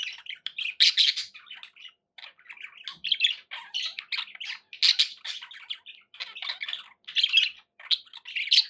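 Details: Pet budgerigars in a long bout of scratchy warbling, squawky chirps and rapid twitters, rising and falling in loudness with short gaps, in a small room.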